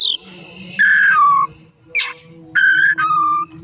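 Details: Afternoon song of a caged Oriental magpie-robin, meant as a lure to draw song from other birds: two loud whistled phrases, each a steady note stepping down to a lower one, with a brief sharp burst between them and a faint hum.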